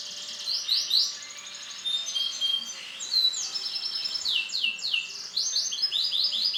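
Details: Silver-coloured male canary singing a long, continuous high song of rapid trills and sweeping descending notes, phrases changing every second or so, in a quiet room.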